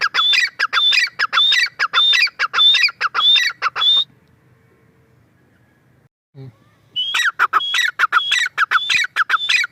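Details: Loud grey francolin calling, a female teetar: fast repeated grating phrases with a bright high whistle in each, a pause of some three seconds with a faint knock, then the series resumes.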